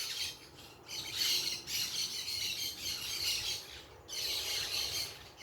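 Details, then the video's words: Parakeets making noise outdoors in nature, a series of loud harsh broadband squawking bursts, several overlapping, in clusters lasting about half a second to a second, with brief quieter gaps between. "Quem gosta do som da natureza com periquitos fazendo barulho"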